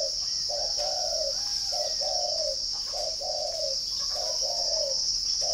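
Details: Spotted dove from a northern Vietnam bird farm in Ba Vì, Hanoi, cooing low and mellow: a short note then a longer falling note, repeated four times, over a steady shrill cricket drone.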